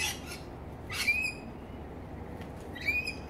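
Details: Wild rainbow lorikeets in Australia feeding on fruit beside a house; a short chirp, then two harsh, screechy squawks about two seconds apart against a quiet background.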